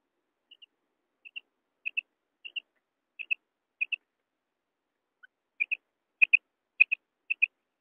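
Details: Common quail calling: sharp paired high notes, each pair a quick double click-like whistle, repeated roughly every half second with a brief pause midway, in an otherwise silent background.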